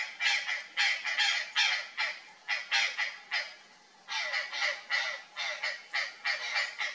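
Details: Purplish jay (Cyanocorax cyanomelas) of the Pantanal, frightened by something strange in the bush, gives harsh, raspy alarm calls in quick runs of about two or three a second, pausing briefly before another burst.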